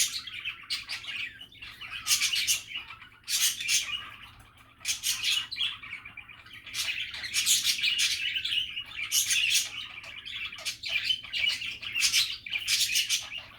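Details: Relaxed budgerigar chattering, rambling warbled babble studded with sharp clicks and high chirps, the flow briefly thinning before growing busier again.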